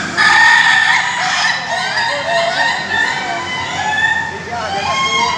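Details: Ayam Ketawa cocks crowing together at a training gathering in Bogor, Indonesia. Bright harmonic crows run almost continuously, one rooster's rolling notes layered over another's, and human voices murmur in the background.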